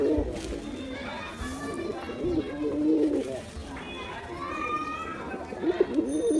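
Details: Male Giribuz pigeon performing, giving low throaty cooing phrases that rise and fall, repeated through the clip with short pauses, alongside faint background voices and some higher tonal noise.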